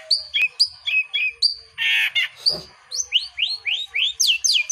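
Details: Long-tailed shrike singing vigorously: repeated downslurred whistles and short chirps, a brief harsh buzzy burst, then a run of quick rising whistled notes, all high-pitched and loud.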